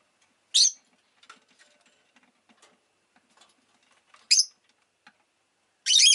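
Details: Rosy-faced lovebird giving three loud, harsh, broadband chirps spread over six seconds, each short and shrill, with faint scattered clicks and soft town noise between them.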